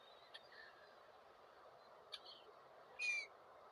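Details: Gull call: faint clicks and soft notes early, then one clear, strong, slightly falling harmonic cry near the end, over continuous background noise.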